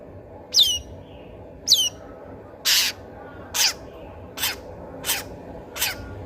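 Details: Long-tailed shrike (cendet) in lively song, used as a decoy to coax silent shrikes into singing: seven harsh, broadband rasping notes about one per second, the first two with sharp descending whistled sweeps, over low steady background hiss.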